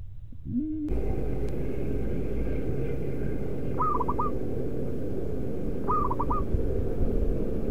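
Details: Local zebra dove used as a decoy bird, loud voice; after a low coo at the start, two clear cooing phrases of one long note and several quick short notes, about two seconds apart, over steady broad background noise.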